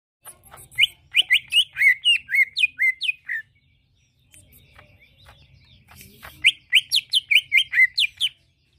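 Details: Greater green leafbird singing, used as a lure to get another bird to answer: rapid runs of bright, slurred whistled notes, about a dozen per burst, in two bursts separated by a quiet pause with faint low rumble.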